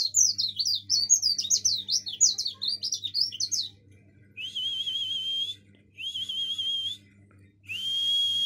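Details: Javan white-eye from Bali singing in the ngomel style: a fast, high, twittering warble for several seconds, then three drawn-out buzzy trills on one pitch. A low steady hum runs underneath.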